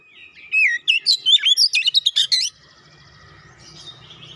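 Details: Oriental magpie-robin singing a busy run of about ten loud, varied whistled and chirping notes over two seconds, meant to set off a quiet bird. The run ends abruptly and is followed by faint, low background hum.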